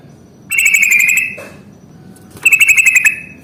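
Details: Trucukan, the Yellow-vented bulbul, singing its ngalas tarung fighting rattle as a lure for reluctant singers. Two rapid, pulsing buzzy trills of under a second each, with a soft low note between them.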